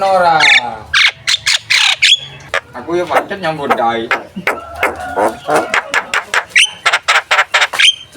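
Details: Javan myna in full contest-ready song, used as a lure or model for contest birds: harsh harmonic notes and raspy chatter, then rapid sharp clicking bursts interspersed with brief whistled notes, loud and continuous throughout.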